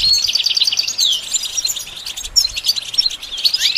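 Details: High, jingling goldfinch song: a fast trill flowing into tumbling twitters and thin whistles, with a rising slurred note at the very end, recorded for training a goldfinch to sing.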